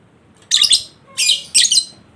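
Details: Lovebird chatter used to provoke a lazy bird into ngekek: three loud, harsh, buzzy bursts of shrill noise, each roughly a third of a second long.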